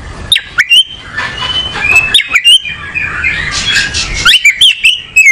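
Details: Oriental magpie-robin (kacer) singing: clear whistled notes near mid-high pitch with sharp upward-sweeping chips and clicks, then a dense burst of scratchy warbling before more rising whistles.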